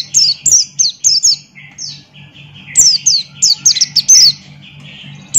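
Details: Buxton's white-eye singing loudly with open beak in 'gacor ngalas' style: crisp high downslurred chirps in quick groups, interspersed with softer lower warbled notes, over a low electrical hum.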